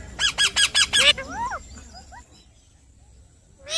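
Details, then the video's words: Five loud, harsh calls from an Alexandrine parrot in quick regular succession, followed by softer rising whistled notes that fade out, then one loud note at the end. "Mithu Tote Ki Awaaz"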